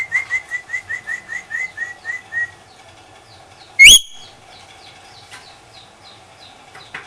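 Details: Lory singing: a quick run of about ten short, even chirps at a steady pace, then a pause and one loud, sharp, rising whistle with a buzzy edge, followed by faint scattered chirps.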